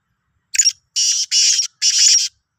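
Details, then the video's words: Black francolin (Sindhi kala teetar), 16 March 2023: one brief harsh note followed by three long, rough, buzzy grating notes in quick succession against a silent background. "Kala Teetar ki Awaz"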